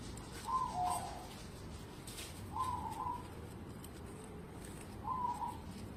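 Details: Local zebra dove, a lively singer used as a lure for other birds, heard farther off through hiss: three short soft warbling coos spaced about two seconds apart.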